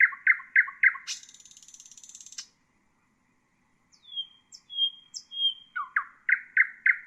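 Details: Nightingale song meant for training bulbuls: rapid repeated notes turning into a long buzzy trill, a silent pause, soft sliding whistles, then another run of loud repeated notes.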